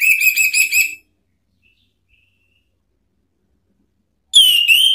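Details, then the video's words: Orange-headed thrush song used to call up and provoke rivals: a rapid, bright whistled phrase of repeated trilling notes, a long silence, then a second loud whistled phrase sliding up and down. "SIULAN ampuh ANIS MERAH MEMANGGIL LAWAN"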